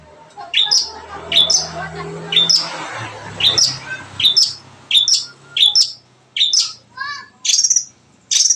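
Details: Song of a long-tailed shrike: sharp high chirps repeated roughly every second, with soft low warbles between them and a rushing background noise midway.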